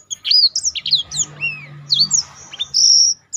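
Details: Black-throated canary singing as a training model for other birds: quick high chirps and slurred whistles, a falling sweep, ending in a sustained buzzy high note.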